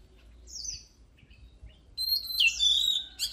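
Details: Oriental magpie-robin: a soft descending high note and faint chips, then a loud run of sustained whistles and rich warbled phrases.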